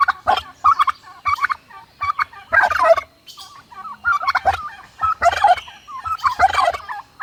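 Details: Domestic turkeys on a farm gobbling loudly in quick, gargling rattles, several bursts overlapping and repeating every second or so without pause.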